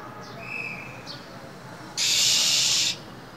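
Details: Cold-winter recording of a caged female than bird stirring a male to sing: two faint thin whistles, then one loud harsh hiss lasting about a second.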